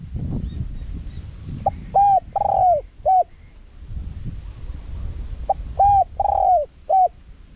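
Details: Spotted dove giving a wild-style call, small-voiced, used to lure wild doves. Two phrases, each a brief note, a clipped coo, a long sliding coo and a short final coo, with a low rumbling background between.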